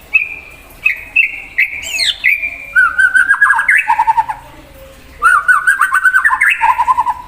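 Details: Singing white-rumped shama goading a rival bird, with high sustained whistles, a quick upward sweep, then bursts of rapid rattling warbles that drop to lower trills, repeated after a short gap.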